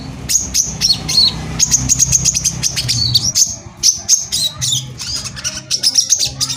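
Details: Brown-throated sunbird (kolibri kelapa) singing energetically in tight rapid bursts, used as a lure to provoke other sunbirds into singing; dense high, thin chirps and twittering trills follow one another almost without pause.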